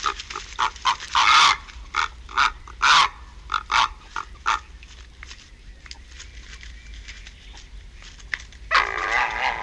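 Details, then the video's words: Purple heron calling close up as an adult arrives at the nest. Harsh, rasping croaks and grunts come in uneven bursts, a few longer and louder, and a prolonged coarse squawk sounds near the end. "Purple Heron Call"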